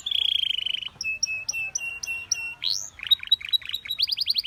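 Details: A Belgian canary sings, its song credited with drawing other canaries to sing; a buzzy roll opens, followed by evenly spaced whistled notes, a rising swoop, chattering notes and a quick closing trill.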